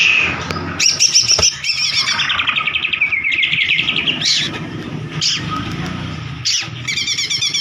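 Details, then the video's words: Murai batu, the white-rumped shama, in a lure recording played to coax a reluctant bird into singing; fast repeated bubbling notes and sharp descending whistles in quick succession over a faint low drone. "Suara Pancingan Burung Murai Macet DIJAMIN NGOTOT"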